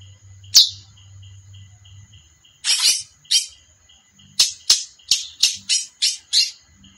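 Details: Song of a female chestnut-bellied seed finch (curió): after a single sharp note, a burst of rough high twittering, then a quick run of seven or eight clipped high notes, over a faint steady high hum.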